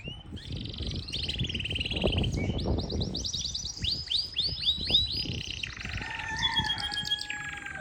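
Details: Yorkshire canary singing in Parachinar, a rolling song of rapid repeated downslurred notes, trills and short whistled phrases, with low rumbling background noise.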